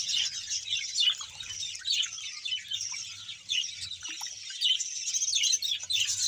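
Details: Many budgerigars from a 100-pair colony in Bahawalpur twitter together, giving bright, scratchy chirps and warbled notes in an unbroken chorus, with a faint low hum in the background.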